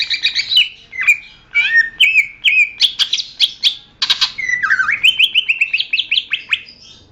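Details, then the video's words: Continuous greater green leafbird song meant for training songbirds: a dense, rapid stream of loud whistles, slurs and sharp clicks, varied phrases following each other almost without pause, mimicry-like in its variety. "masteran suara burung cucak ijo"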